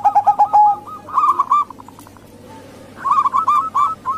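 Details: Local female zebra dove with Bangkok doves, calling to lure males or wild birds. Quick coo notes come in clusters with a near-silent gap midway, then resume as a fast, loud pulsed series.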